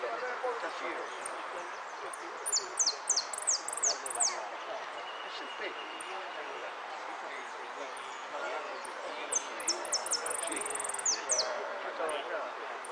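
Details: Saffron finch (amarillo) singing in the repique style at a singing contest in Monte Grande, dated 03 11 13: two bursts of high, sharp downslurred notes and a short trill over steady crowd chatter and voices.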